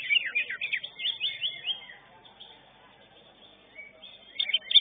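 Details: Contest-winning greater green leafbird at a singing competition delivers a fast run of downslurred whistles and chirps, then a pause of about two seconds before another sharp burst of notes.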